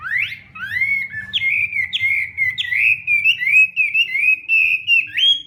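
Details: A Hwamei practising its morning song: a rising whistled upsweep, then a chain of mellow, wavering slurred whistles repeated at an irregular, quick pace over a faint low hum.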